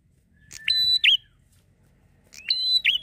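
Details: Bar-winged prinia singing in lively, drawn-out ngalun style, used as a lure for prinias: twice, a sharp click opens a sustained high flat whistle, ending in a hooked, dipping note, with a quiet gap between phrases.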